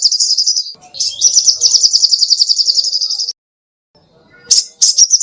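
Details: Sogoh ontong songbird singing, used as a tutor song for cage birds to copy: rapid high-pitched trilled phrases of repeated sharp notes, a short pause, then a long steady trill, silence, and a few more high bursts.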